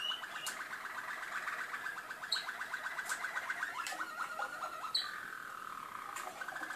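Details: Malinois canaries recorded in Skopje: sustained low rolling trills of fast pulses, changing tour several times, with faint sharp clicks and a few higher chirps scattered through.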